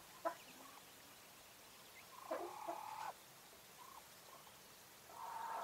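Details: Female English White Coturnix quail hen giving a few short nasal, buzzy calls, one louder drawn-out squawk near the middle and a rising call at the end, with faint clicks over a quiet background.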